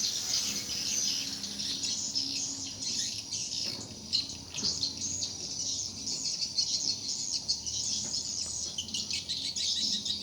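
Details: Swiftlets inside a four-month-old, four-storey, 5 x 10 swiftlet house answer with a continuous mass of shrill chirps and rapid ticking twitters, many birds calling at once.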